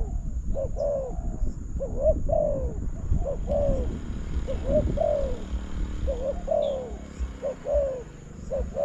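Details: Spotted dove cooing at a decoy in a trapping contest. Soft, hollow coo phrases repeat steadily over a constant low background rumble.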